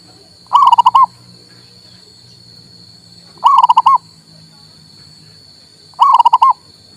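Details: Local male zebra dove used to coax a silent bird into song: three identical phrases of five or six fast purring coos, roughly every three seconds, with a steady high tone throughout.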